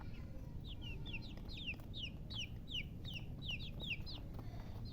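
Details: Baby chickens chirping: a steady run of short, high, downward-slurred peeps, several overlapping, over a constant low rumbling background noise.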